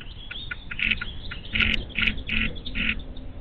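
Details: Bald eagle chicks alone in their nest at the Little Miami Conservancy live cam on 12 May 2023, with neither parent present all day and no food. Squeaky, squawking calls repeat about once a second over a steady background hiss.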